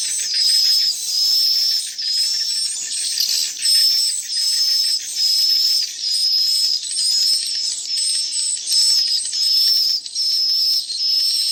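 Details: Playback of swiftlet chick calls, perhaps with adult swiftlet sounds mixed in: a steady high whistle note repeated a little over once a second above a bed of dense, buzzy chirping.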